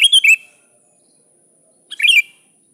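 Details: Rival-summoning call of a sooty-headed bulbul: a fluty warbled phrase of three notes, a pause of over a second, then a second chattering whistled phrase, with a faint steady high tone throughout.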